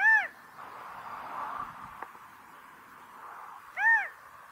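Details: California quail giving mating calls: two loud arched, nasal single notes, one at the start and one near the end, separated by a soft steady background hum.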